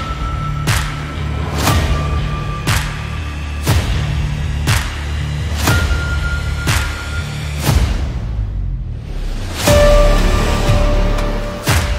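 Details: Only music with heavy, regular thumping beats about every two seconds and sustained tones; no animal voice can be picked out.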